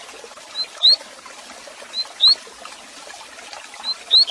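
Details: Double-collared seedeater (coleiro) gives the tui-tui repicador training song: a faint high note followed by a sharp rising whistle.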